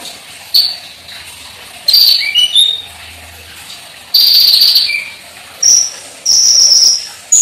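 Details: Olive-backed sunbird (konin) in energetic gacor song with full isian material: very high, thin whistles and short descending slurs, given in bursts separated by brief silences, with some notes held as long, piercing tones near the end.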